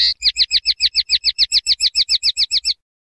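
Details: Common linnet song phrase: about sixteen clipped, slightly downslurred notes repeated at a steady quick pace for nearly three seconds, then silence.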